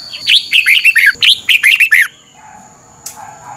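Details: Caged-bird training song of a red-whiskered bulbul, 'beun' doubled style: one long run of about ten rapid, slurred, downward whistles lasting two seconds, then quiet with a faint steady high tone and a soft click.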